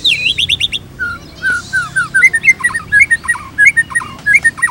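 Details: Shama (white-rumped shama) song used as training material for other shamas: opening rapid high looping notes, then mellow whistles and a bouncing sequence of repeated short phrases about twice per second.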